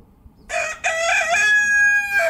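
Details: Red junglefowl cock (Gallus gallus gallus) crowing: a loud harmonic crow of about two seconds, a short opening note, then a long drawn-out sustained note ending in a brief drop.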